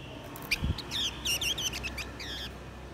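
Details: Blue-winged minla, male and female, singing to lure and excite wild birds. Rapid, tumbling series of high, warbled, twisting notes runs almost without pause, with a sharp click near the start.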